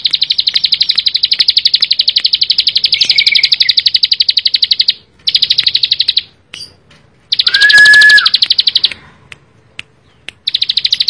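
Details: Bar-winged prinia in vigorous, rapid song: long high trills of crisp repeated notes, around four per second, with brief gaps and a short loud whistled note between phrases.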